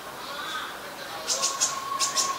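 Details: Brown-throated sunbird in Ubon Ratchathani, Thailand, 13 January 2021, recorded with a Nikon P1000: about five sharp, very high chip notes in quick succession in the latter half, over a steady lower whistled tone and a soft background bird chorus.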